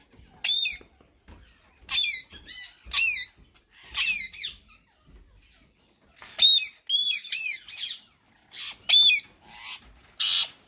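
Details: A pair of rose-ringed parakeets, one a white male and one green, in talking mode: repeated shrill, raspy squawks in short bursts, some doubled, with brief quiet gaps.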